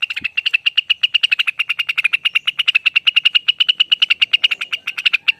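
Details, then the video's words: Long ropel song of a Lesser green leafbird (Rengganis): a fast, unbroken stream of bright repeated notes, machine-gun quick and nearly level in pitch, with one soft low thump near the start. "Suara ropel panjang burung Rengganis"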